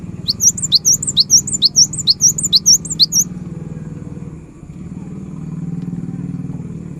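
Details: Cinereous tit in lively song, used to prompt silent birds into singing: about seven quick, high whistled two-note phrases, each a swooping upward note and a short follow-up, then the song stops and a low engine hum continues.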